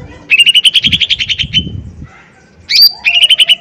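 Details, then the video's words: Lesser green leafbird (cucak ijo mini) singing full power as a provoking lure: a buzzy rattling series of about twelve notes, a pause, one sharp high note, then another quick rattled series. "Pancingan Cucak Ijo Mini Gacor Full POWER Tembakan keras Mancing Emosi"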